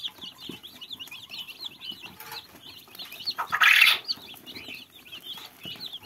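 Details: A flock of fluffy chicks keeps up steady, high-pitched peeping, many quick cheeps running together. A loud rustling burst, like flapping wings, breaks in midway.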